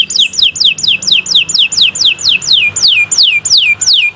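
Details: Atlantic canary (kenari) singing energetically, a long song meant to tutor young birds and prompt stalled canaries: a steady series of loud downslurred whistles, about three per second, slowing slightly toward the end.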